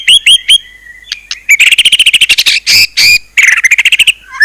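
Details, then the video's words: White-rumped shama song mixing clear whistles with harsh rapid rattling trills and buzzy bursts, ending on a falling whistle. "ISIAN MEWAH MURAI BATU_PALING TOP SUARA SANGAR"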